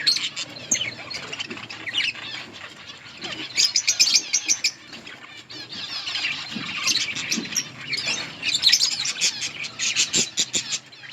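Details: Budgies in an outdoor colony, eating and chirping, give continuous high, buzzy warbling from many birds at once, swelling into busier stretches mid-way and near the end, with faint flutters underneath.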